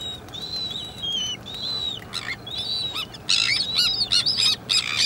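Slender-billed gulls, adult and chick: thin, high, slightly falling whistles at first, then harsher, rapidly repeated nasal calls.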